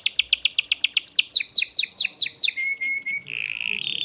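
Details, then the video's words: Caged male canary singing excitedly to stimulate a female for mating; rapid series of descending chirped notes about seven per second, then a steady whistled tone and a buzzy trill. "تغريد ذكر كناري هائج يريد تكسير القفص يحفز الأنثي لتزاوج"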